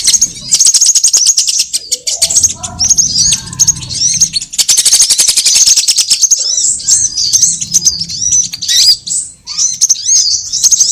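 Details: Assorted sunbirds heard as a trapping lure: a dense, continuous wash of shrill, high twittering and rapid ticking, several birds calling at once with scattered sharp whistled slurs and a faint low hum behind.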